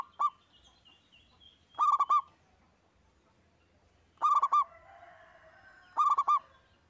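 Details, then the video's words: Local zebra dove, a gacor singer used as a lure to prompt other birds to sing: short bursts of three or four rapid cooing notes, each phrase starting with a brief hooked note, repeated every two seconds or so, with faint background noise. "Kutut Lokal Gacor‼️ENGKEL Untuk Pancingan Bunyi"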